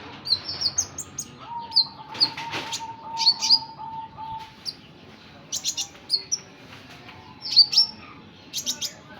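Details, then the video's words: Sunbird, locally kolibri ninja or burung konin, uttering scattered high-pitched chirps and brief twittered bursts, with a drawn-out lower tone and faint background hum. "Kolibri Ninja || burung konin"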